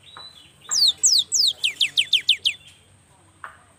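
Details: Vigorous song of a young cinereous tit: one quick burst of about nine sharp, high-pitched downslurred notes delivered in under two seconds, then silence.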